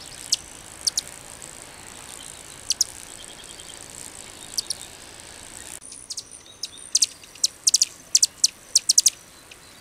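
A Calliope hummingbird gives very high, thin ticking notes, singly or in quick bursts, coming faster toward the end over a faint hiss.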